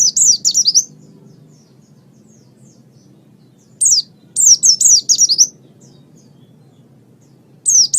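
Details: Oriental white-eye song from a master recording for training birds: clustered bursts of high, thin, rapidly descending chirps, three to five in quick succession, with pauses of several seconds between bursts; faint low hum underneath.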